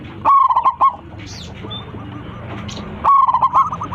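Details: Zebra dove, local type with a big voice, calling its flock: a loud rattling coo phrase, a quiet pause with faint distant coos, then another loud rolling phrase near the end.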